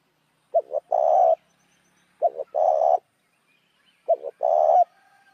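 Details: Spotted dove lure cooing to attract other doves, three repeated phrases about two seconds apart, each a short double coo followed by a drawn-out, rough, level coo.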